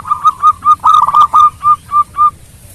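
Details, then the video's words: Local zebra dove, a lively singing bird, used as a training recording to make rival birds answer quickly: a steady series of about ten clear, mellow coo notes, one every quarter second, with a brief rapid trill in the middle. "Perkutut Lokal Gacor Suara Merdu Bikin lawan cepat nyaut Bunyi"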